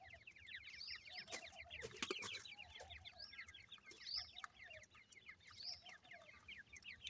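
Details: Several grey francolin chicks at home, a dense chorus of high, thin, falling cheeps repeated rapidly and overlapping, with occasional clicks and handling noise.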